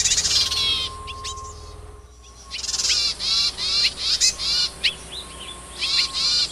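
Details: Wild yuhina searching for food to feed its young: loud, rasping high bursts with layered upward-sweeping tones come in quick series, broken by a brief lull, with scattered sharp chips between the bursts.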